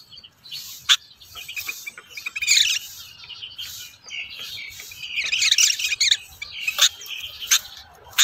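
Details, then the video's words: A free-flying rufous-tailed robin competes with caged birds, giving bursts of thin, high chirps and buzzy twitters in clustered phrases. Several sharp, loud clicks are scattered throughout, and quieter gaps fall between phrases. "Rufous-tailed robin Birds,Outer birds compete with birds in cages"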